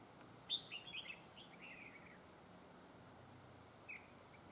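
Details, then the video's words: Decoy red-whiskered bulbul for trapping, its voice called superb with linked double phrases; a loud, quick cluster of sharp bright whistles opens, trailing into a softer slurred note, then a lone chirp near the end amid faint steady noise. "Bẫy chào mào GIỌNG CỰC HAY CÓ GIỌNG KÉP NỐI"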